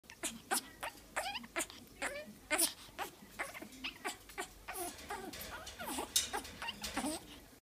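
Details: Excited pet African grey parrot mimics a pug with a rapid run of snorty grunts and whiny, rising squeaks, roughly two per second, throughout.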